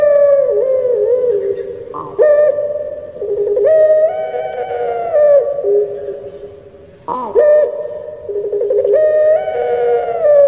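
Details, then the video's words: Kept pelung Barbary dove from Indonesia in its "crying" song: repeated long coo phrases, each opening with a sudden leap, held level with dense overtones, then sliding lower before the next begins. "𝙋𝙪𝙩𝙚𝙧 𝙋𝙚𝙡𝙪𝙣𝙜 𝙎𝙪𝙖𝙧𝙖 𝙈𝙀𝙉𝘼𝙉𝙂𝙄𝙎"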